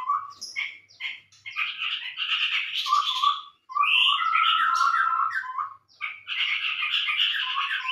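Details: Scarlet-rumped babbler lure call used for trapping birds: dense, continuous chattering and warbled phrases with steady whistled notes, bursts of rapid chirps in long unbroken runs with short pauses.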